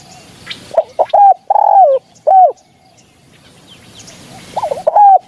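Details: Spotted dove coos used to lure birds for hunting: scattered quick wavering notes and a longer coo, a pause of background hiss, then more short rising-falling coos.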